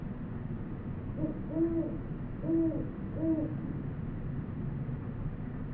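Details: Great horned owl in New Mexico, field recorded on a Sony PCM D100: a run of deep, soft hoots, three main notes spaced about a second apart, over steady low background rumble.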